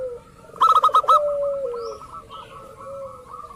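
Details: Lure call of a local zebra dove, used to provoke rivals into calling: a loud burst of rapid rolling notes, then a long drawn-out falling coo over a steady stream of quick clipped higher notes.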